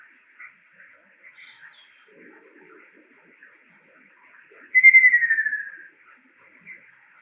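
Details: Male Ruddy Kingfisher song, a summer migrant to Japan: one loud descending rolling trill "kyororororo" falling from about high to lower pitch over a second, fading toward the end, with faint background birds and soft chatter-like noises before it.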